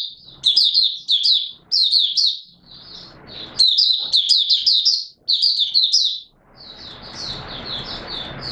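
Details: Oriental white-eye giving its opening song on 24 March 2022. Rapid, high-pitched chattering warbles come in short clustered phrases. Soft rustling noise fills the pauses and the final seconds.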